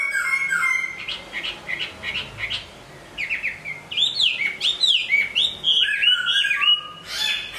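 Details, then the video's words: Hwamei singing in its cage during moult: high chirping notes, a short quiet spell, then loud looping whistles rising and falling several times a second in a sustained run. "Hoạ mi hót khi đang thay lông"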